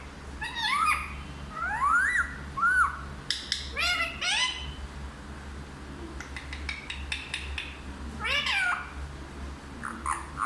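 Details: Hindi-speaking parrot chatters in a long run of rising harmonic syllables and clipped, rapid clicking bursts, with a bending phrase near the end and faint low hum throughout.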